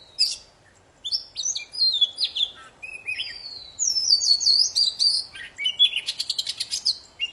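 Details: Very vocal poci song played to start silent birds singing: tumbling high whistles and slurs, a long wavering whistled phrase, then fast buzzy rattling trills.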